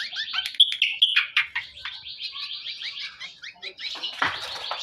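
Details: Greater green leafbird reared by hand, heard in a master recording: bright whistled notes opening into a long series of quick, evenly spaced chirps at a high pitch, with a harsh rasp near the end.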